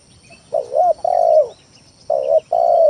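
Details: Spotted dove lure song for prompting rival doves to call: a quick wavering coo, a long hollow coo, then another pair of long coos, low and mellow, with faint background hum.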